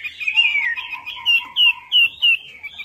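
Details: Lure song of the Chinese hwamei for coaxing a quiet bird into singing: a sliding warble, then four loud, clear down-slurred whistles spaced about a third of a second apart.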